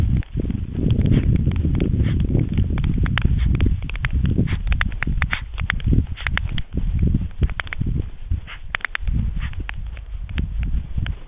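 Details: White storks at a nest in Jaczno on the evening of 23 April 2021, during an attack by a second female, give scattered, irregular dry clattering clicks and knocks over a heavy, steady wind rumble.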